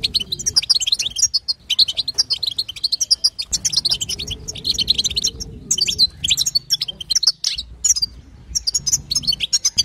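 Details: Female European goldfinch chatter, the batbata and sitsita sounds, used to prompt a male goldfinch to sing: dense, rapid, high twittering notes in bursts with short pauses, plus a faint low hum underneath.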